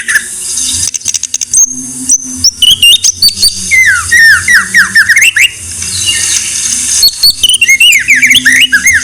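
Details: White-rumped shama song used as tutor material for songbird keepers: loud, varied whistled phrases with sharp rising and falling sweeps and rapid trills, broken by bursts of broadband noise and a steady low hum.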